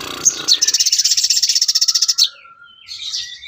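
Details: Sooty-headed bulbul song as songbird training material: a rapid, even, high trill of about twenty buzzy pulses for nearly two seconds, then a soft low whistle and a brief high rustle.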